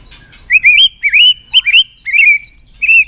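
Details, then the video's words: Clear, loud White-rumped shama song meant to stir birds into singing: a chain of pure wavering whistles, rising and falling in short phrases with tiny trills between them, quiet background. "Kích Chòe lửa Lên Lửa, hót nhiều, chòe lửa đánh đuôi kích cực nhạy.luyện chòe lửa hót nhiều giọng"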